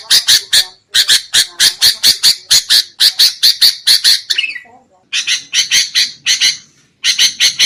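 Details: Sooty-headed bulbul trapping lure: fast runs of loud, rasping chatter notes, a short fading downslur, then more rapid scratchy bursts after brief pauses.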